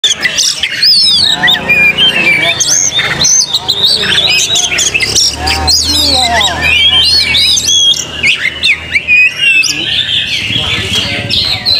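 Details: Oriental magpie-robin lure song meant to make a young bird sing freely, fight, spread its tail and raise its excitement: dense, rapid high whistles and looping trills, overlapping phrases layered thickly, with a low hum beneath.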